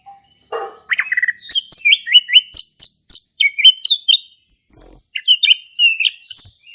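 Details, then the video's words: Orange-headed thrush, a male singing keenly in ngeplong style as a lure for a silent bird: a harsh lower note, then a steady string of rapid, high, sharply rising and falling whistled phrases, almost without breaks. "Anis Kembang Jantan Gacor buat pancingan anis kembang macet bunyi"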